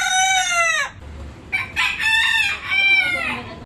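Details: Cockerel crowing in the morning: a bright, falling crow about one second long, a short pause, then a longer, broken crow rising and dipping in several surges, over a faint low background hum.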